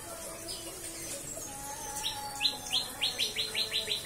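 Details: Captive-bred white-rumped shama starting its cikris song midway: after quiet background, a burst of loud, crisp, repeated high chips, about three per second, building in strength.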